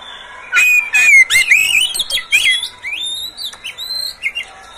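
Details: Oriental magpie-robin (Copsychus saularis), a captive owned bird, sings a rich, varied run of clear whistles, slurred notes and short trills shifting pitch between phrases, with brief scratchy notes, used as a master song to prompt other magpie-robins to sing.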